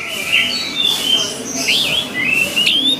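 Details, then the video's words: Orange-headed thrush song, played to train a kept bird to sing often. Clear whistled notes slide up and down, joined into a flowing varied phrase, with a faint hiss behind. "SUARA ANIS MERAH"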